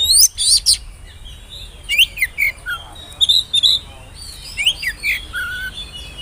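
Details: Oriental magpie-robin, described as speckled young birds, whistling as a lure; busy mix of sharp chirps, slurred whistles and a steady mid-pitched whistled note near the end.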